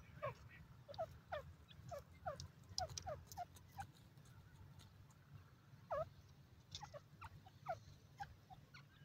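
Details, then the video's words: Bhura tetar, the grey francolin, uttering short upward-sweeping notes repeated about every half second in loose series, a louder note near the middle, over steady low background rumble. "bhura tetar ke awaz,bhura francolin bird sounds"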